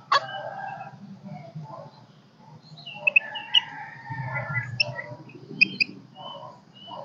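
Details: Caged golden-crested myna singing, kept to stimulate birds and call in a flock, not yet in full voice: varied short whistled notes, sharp clicks and warbled phrases, with low background hum.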